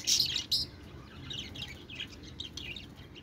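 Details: Pet budgies give two loud scratchy chirps at the start, then softer warbling twitters that wander up and down in pitch; faint low hum in the background.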